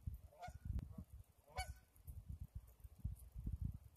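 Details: Geese beside the Similkameen River, recorded February 20, 2018: two loud nasal honks about a second apart, each with a rich stack of overtones, over a steady low rumble of flowing water.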